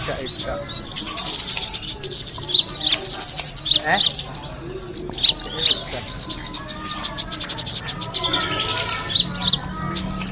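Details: Bird-attracting kemade call: bursts of high, sharp chirps and sweeping whistles that come and go in waves, with slight pauses between the busier stretches.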